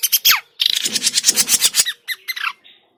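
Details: Grey-cheeked bulbul lure call for bird trapping, described as noisy: a rapid harsh chattering burst with sharply downslurred notes, followed by short squeaky calls.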